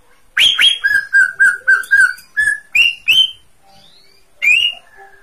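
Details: Greater green leafbird in lively song: a run of rapid, even whistled notes, then louder upslurred whistles, a pause, and one final rising note.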